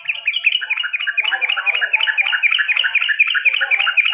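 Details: Male sooty-headed bulbul kept as a pet, delivering the 'ropel panjang' and 'garuda' style song: a dense, unbroken run of harsh, quickly repeated chattering notes, several per second, loud throughout.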